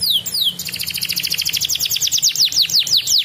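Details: Canary singing in energetic, continuous ngedur style, used as a lure to get lazy canaries singing again; a couple of descending whistles, then a fast rolling trill and repeated downward-slurred notes, with a low hum underneath.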